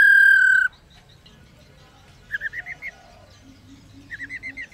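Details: A female White-browed laughingthrush (Garrulax sannio) gives a long steady whistle, then quick bursts of six or seven rising, chattering notes, a rolling 'ro-ro-ro' call used to stimulate males to sing.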